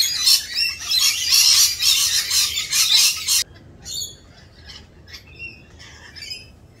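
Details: A dense, loud screeching chorus of rainbow lorikeets in mating season cuts off abruptly, leaving scattered high shrill chips and chatter.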